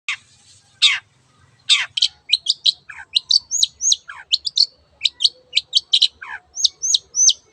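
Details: Long-tailed shrike in vigorous, chatty song: a dense run of sharp, high chirps and short upswept whistles, with a few lower downslurred notes early on, delivered in quick bursts.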